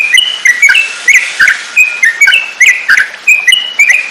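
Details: Yellow-vented bulbul song, used as tutor song for training songbirds: short clear whistled phrases near one pitch, repeated roughly every half second, each with sharp clicking ticks.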